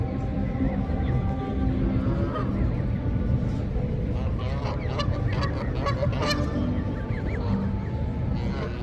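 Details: Geese with goslings feeding on water; Canada geese honking in repeated nasal bursts, some overlapping, with clicks and splashing sounds and a strong low-frequency rumble beneath.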